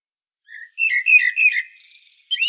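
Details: Common blackbird, Medvednica Mountain, Sljeme, Zagreb, Croatia, recorded with a Panasonic Lumix DC-TZ90: soft fluty notes build into loud warbling, followed by a brief buzzy high trill and a final squeaky note.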